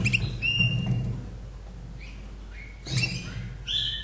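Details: Slavujar songbird kept in Austria, from 2011, sings a few separate phrases: a short trill, a held whistle, then rising and falling slurred notes after a quiet pause, with a low room hum.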